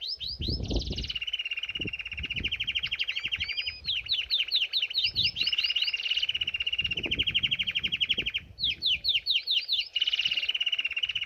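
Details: Bathing canary in full song, loud rolling trills alternating with rapid rising and falling whistled notes, phrases linked almost without pause, a few soft low splashing thumps underneath.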